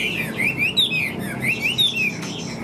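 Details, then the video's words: Caged Chinese hwamei, a large-bodied bird with yellow legs and bill, singing while flicking its tail: bright slurred whistles rising and falling, repeated in quick loops, with a low room hum beneath. "Chim Họa Mi Hót Vẩy Đuôi Khướu"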